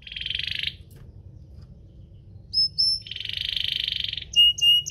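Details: Canary lure song meant to stir other canaries to sing: a short buzzy rolling trill, a pause, two high whistled notes, a longer rolled trill, then clipped high whistles.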